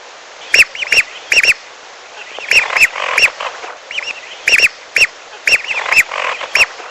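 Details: Lure sound of lesser whistling ducks, meant to bring the birds down to a pond. Dense arched whistles come in pairs and triplets with clicks, over a chattering background of overlapping softer notes.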